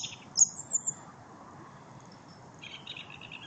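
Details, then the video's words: Thrush song recorded on 04-01-14: three sharp, very high, thin squeaky notes in the first second, a quiet pause, then a lower, rapid, chattering phrase at the end, over a faint steady low background rumble. "Lijster zang"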